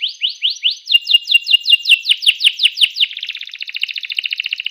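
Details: Canary singing to spur rival canaries into song, delivering rapid repeated rising whistled notes about three per second that speed into a dense, fast trill toward the end.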